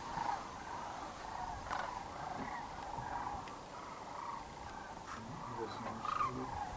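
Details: Evening roost flight of sandhill cranes along the Platte River near Kearney, Nebraska, in late March: many overlapping trilled calls merge into a constant murmur, with a few louder rattles standing out.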